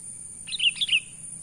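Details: Sooty-headed bulbul natural lure call: three quick, bright chirped notes in a row, each with a slight downward slur, over a continuous high-pitched hum.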